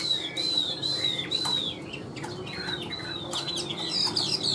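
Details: Caged, tame Chinese hwamei singing steadily: a run of clear looping whistles, each rising and falling slightly, repeated about twice a second, with later notes breaking into quicker slurred twists over a faint background hum.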